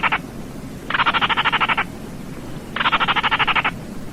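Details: Rapid pulsed rattles from a Baillon's crake, each a dry, frog-like trill of about a second with roughly a dozen beats, coming close together against faint low-pitched background noise.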